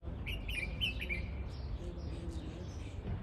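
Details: Red-whiskered bulbul, an invasive exotic species, recorded in spring in a park in Campanar, Valencia: a quick run of short chirpy whistled notes, then softer twittering, over strong low urban rumble.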